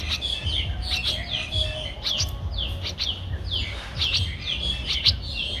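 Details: Young Streak-eared Bulbul, a nestling aged 13 days, in Ubon Ratchathani, Thailand, April 2023: rapid series of high falling chirps with sharp clicks between them and a low rumbling background.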